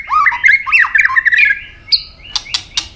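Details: Fighting song of a white-rumped shama, tail flicking firmly: a dense chattering phrase of quick rich twisting notes for over a second, a high short whistle, then three sharp snapping clicks.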